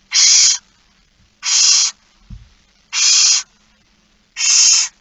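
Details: Barn owl begging at feeding time, 06:57 on 13 September 2019: four loud, raspy hissing screeches evenly repeated about every one and a half seconds, with a brief low knock in between.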